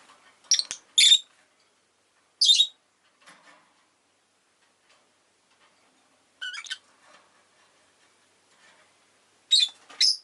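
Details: Loud, piercing chirps from a rosy-faced lovebird, short harsh high squeaks in pairs or singles with quiet gaps of several seconds between bursts.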